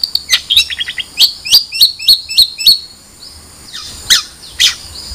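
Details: Long-tailed shrike delivering a fast string of high, clipped chirps, several hooked notes repeated about every third of a second, then softer, wavering notes trailing off.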